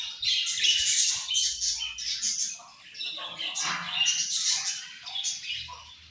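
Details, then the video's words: Budgies chattering steadily: dense, scratchy warbling with rapid chirps and squawky notes running almost without pause, several birds overlapping, a faint low hum in the background. "Very Sweet Budgies Chirping Sounds"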